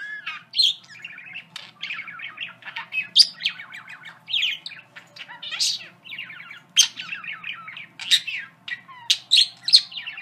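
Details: A budgerigar sings and says a few of its favourite phrases, warbling continuously in fast chattering trills and squeaky twitters, with sharp high chirps breaking in every second or so.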